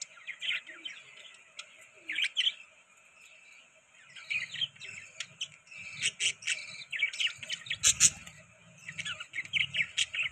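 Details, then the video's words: Pet budgies feeding on soft food chirp in scattered high twittering phrases that grow denser and louder toward the end, with sharp clicks and a low rumble mixed in. "Beautiful Budgies Eating Soft Food|Budgies Chirping Sound"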